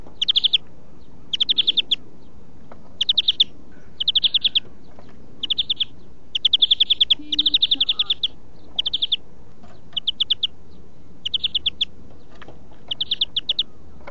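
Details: Greenfinch song used in huylandırma song training: a long run of about eleven rattling trills, each a tight burst of rapid notes, repeated roughly every second and a half.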